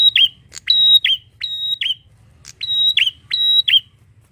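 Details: Rapid series of loud, high, flat whistles from a bar-winged prinia. Each whistle ends in a sharp dropping note, the notes arriving in pairs roughly every 0.4 seconds, with one short pause midway. Low hum below.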